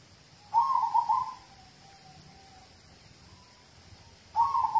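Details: Perkutut lokal, a local zebra dove, singing to draw other birds into song: a pulsed, gurgling coo phrase trailing into soft lower notes, then a fresh phrase beginning a few seconds later.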